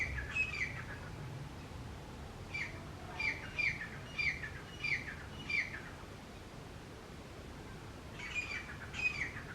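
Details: Male and female Grey Francolins call loudly together: sharp, ringing notes repeated about every half second in bursts, over a low rumble of background noise.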